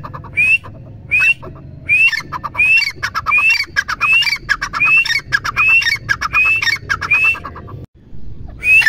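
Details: Grey francolin giving a long run of sharp rising whistled notes, each tied to a burst of rapid harsh clicking pulses, repeated more than once a second, then a brief break before a final note.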